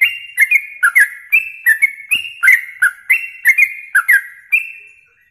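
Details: Yellow-vented bulbul song used as a masteran tutor recording for songbird contest training: clear whistled notes sliding between two pitches, each opened by a sharp high click, repeated about twice per second in a steady run.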